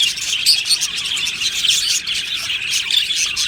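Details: Aviary colony of Australian budgies, rapid high chattering chirps with a few clear whistled notes rising above the busy overlapping chorus.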